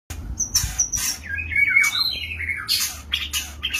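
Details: Captive male white-rumped shama courting a female in a compact stacked breeding cage, giving varied song: sliding whistles, descending slurred notes and harsh buzzy bursts, with loud sharp high notes between them.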